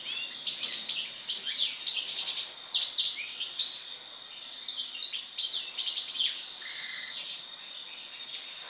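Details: European goldfinch song after its moult: a long lively string of tinkling, twittering notes, buzzy trills and sharp chirps, with brief softer gaps between bursts.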